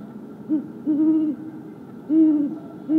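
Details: Wild great horned owls in woods, a male and a female, trade deep, soft contact hoots with some conversational chitters, on 28 January 2022: a short note, then longer, level hoots about a second apart, faint hum behind.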